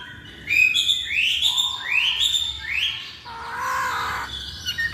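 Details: Masked laughingthrush lure song with three strong upward-sweeping whistles in a row, then a harsher, noisier drawn-out note.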